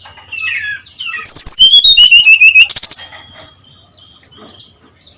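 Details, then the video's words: Brown-chested jungle flycatcher giving a loud open 'ngeplong' song at first light. A quick run of bright whistled notes falls in pitch, over rapid ticking trills, then fades into soft distant chirps. "SUARA SRDC NGEPLONG PAGI BUTA, COCOK PANCINGAN SRDC BIAR BUNYI GACOR NGEPLONG"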